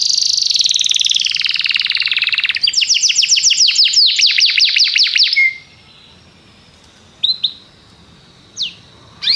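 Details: Belgian canary singing a long dense high buzzy trill, then fast repeated rattling notes, followed by a quiet gap broken by a few separate sharp notes.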